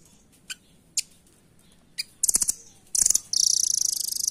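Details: Velvet-fronted nuthatch offered as master song for training caged birds: three isolated sharp high chips, then fast bursts of rapid, very high ticking notes, ending in a long, even, buzzy trill of quick repeated pulses.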